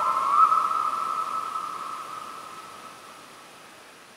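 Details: Black-throated loon calling at 1 a.m. at a lake near Gamleby, Sweden: a long, mournful, steady mid-pitched note with a slight lift near the start, fading slowly over about four seconds above soft hiss.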